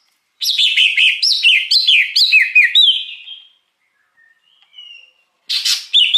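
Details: Wild greater green leafbird, song used to attract birds: a rhythmic series of about six swooping whistled notes trailing into a held tone, a pause with faint notes, then a loud burst.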